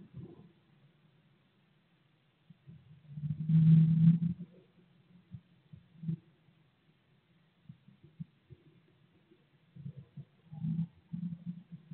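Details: Muffled low thumps and shuffling inside a blue tit nest box holding 16-day-old chicks, with a louder burst of rustling near the middle and more soft knocks toward the end, but no calls.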